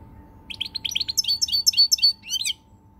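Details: European goldfinch song recorded 20 March 2020: a lively, rapid stream of high tinkling, twittering notes, about four per second, becoming fuller and more buzzy midway before stopping, with a faint steady hum beneath.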